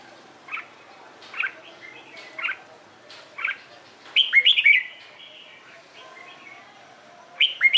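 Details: Morning competition song by a Red-whiskered bulbul, used to train and stimulate newly caught birds: several short chirps about once a second lead into a loud rolling warbled phrase, then quieter notes and a final burst.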